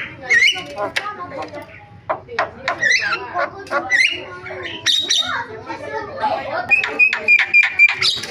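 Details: Javan myna singing a varied, filled-in song: an irregular medley of short whistles, clicks and chattering notes, with some clear high whistled pips repeated near the end, over a low background hum.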